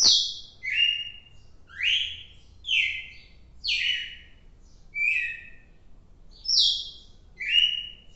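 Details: Red-cowled cardinal named Fantástico, recorded 4 December 2023, sings clear, bright whistled notes slurring downward, about one per second, over faint background hum.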